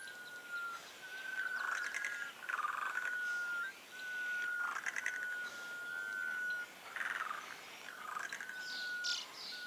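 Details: Sunbittern giving long, steady, level whistles, each held for one to two seconds and repeated with short gaps, over scattered chirps and calls from other birds in the background.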